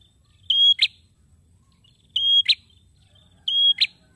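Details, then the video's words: Persistent song of a male prinia. A flat, piercing whistle ends in an abrupt rasping note, and the phrase returns roughly every 1.5 seconds over faint low background rumble. "PRENJAK JANTAN BAGUS,GACORNYA BIKIN NGILER"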